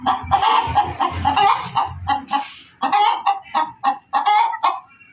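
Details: A hen cackles loudly, drawn-out harsh clucks followed by separate sharp notes, with a low throbbing rumble underneath at first.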